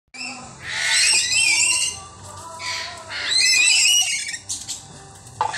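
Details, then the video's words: Chattering lories, many together at feeding time, give loud harsh squawks and chatter in two long bursts with shorter screeches after, rich in high overtones. "Chattering Lory ang dami..//feeding time.."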